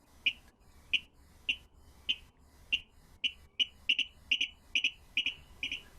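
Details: Virginia rail in a Maine marsh gives its distinctive clicking song: sharp clicking notes starting about two per second, then speeding up and breaking into paired ticks toward the end.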